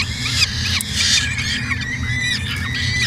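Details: Peregrine falcon at a Canadian nest camera in Edmonton, 2017: high, squealing harmonic calls in wavering sequences, with sharp clicks between some notes and a persistent low background hum.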